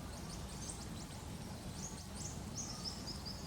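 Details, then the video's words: Eastern spinebills in the Australian bush, with other birds around, giving very high, thin piping notes in quick, stuttering bursts over a steady low rumble. "Sounds of Eastern Spinebills"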